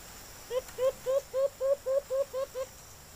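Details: Wild white-eared brown dove (alimokon) responding to a kept lure bird, giving a clear series of nine short, upslurred hollow hoots, roughly three per second, over quiet background hiss.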